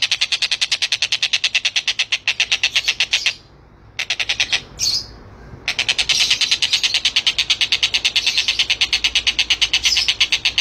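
A Collared Kingfisher gives a fast, harsh, high chatter of clipped notes, about five a second, broken by a brief pause midway.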